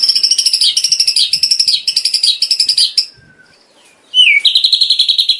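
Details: Tutor song of a white-rumped shama for daily training of caged birds: three seconds of rapid chattering repeated phrases, a brief near-silent gap, then a swooping note leading into a fast, even high trill.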